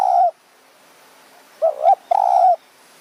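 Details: Evening decoy luring of a spotted dove in Kanchanaburi's high mountain forest, Thailand. A trailing steady coo, a short gap, then a two-part coo leading into a drawn-out low note.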